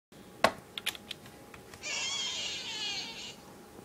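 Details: A pet budgerigar, one of several, lets out a harsh, grating scream lasting over a second after a few sharp clicks, while its owner tries to work and yells at it to stop screaming.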